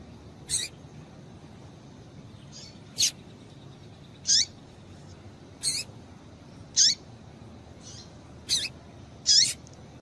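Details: Female Double-collared seedeater giving calls meant to excite males into singing. Brief high, bright chirps with a short descending hook are spaced irregularly, about one every two seconds, with soft fainter notes between them and low background hiss.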